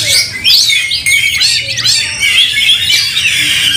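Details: Oriental magpie-robin in a fighting mood, tail spread and angry, provoking other magpie-robins: dense, rapid, high-pitched song mixing sharp whistled sweeps, downslurs and harsh scratchy squawks with no pauses.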